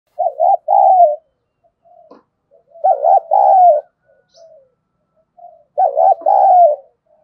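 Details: Decoy spotted dove cooing to lure wild doves, which are provoked to coo back. Three low, mellow phrases, each a quick double note followed by a longer drawn-out coo, repeated about every three seconds in a quiet setting.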